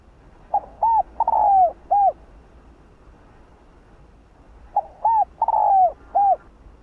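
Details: Spotted dove (cu đất) cooing in the hạp bổi voice style, full sequence of calling, urging and gù coos. Two phrases about four seconds apart, each a short soft coo, an arched note, a long purring falling coo and a final arched coo.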